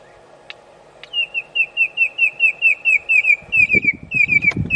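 Red-crested korhaan giving a steady run of sharp, high, down-slurred whistles, about three each second, over low rumbling noise.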